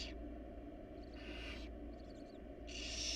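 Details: Inside a nest box, a wild barn owl family produces three breathy, noisy hisses spaced roughly a second apart against a steady background drone.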